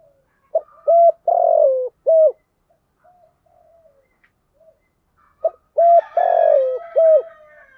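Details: Lure spotted dove singing thúc gù coos meant to make wild doves coo back: two phrases of low, hollow coos, short notes around a longer drooping note, with a quiet gap between them and faint higher chirps under the second.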